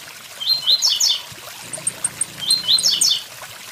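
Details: Blue-black grassquit giving two "tui tui zel zel" song phrases, each a few upswept notes collapsing into a quick cluster, separated by a run of thin high ticks. A steady waterfall rush fills the background.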